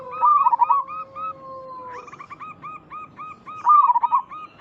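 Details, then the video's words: Zebra dove of local stock calling so other zebra doves answer: a loud trilled coo over a long steady low tone, then quick series of short hooked notes and a second loud rolling coo near the end. "Perkutut lokal gacor Suara ini membuat Burung Perkutut langsung Nyaut cepat respon 100% sangat ampuh"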